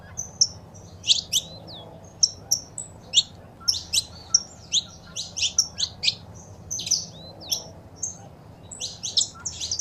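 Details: Female saffron finch calls and male song for stimulating a pet bird: high, clipped chirps repeated in uneven groups across the whole stretch, with short gaps between phrases.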